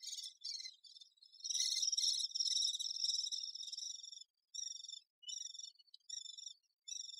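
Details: Great spotted woodpecker busy with its young: a loud, continuous high buzzing chatter for a few seconds, then short rasping bursts repeated roughly every half second.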